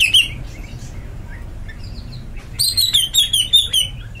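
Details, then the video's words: A greater green leafbird opens with one sharp note, goes quiet, then launches a rapid string of bright, slightly descending whistled phrases repeated quickly during the final seconds. "Cucak ijo melet"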